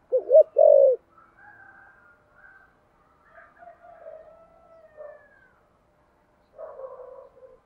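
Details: 'Thúc gù' cooing of a spotted dove with a 'thổ sấm' voice: one loud phrase of two quick hoots and a drawn-out coo opens, then soft, faint cooing murmurs follow.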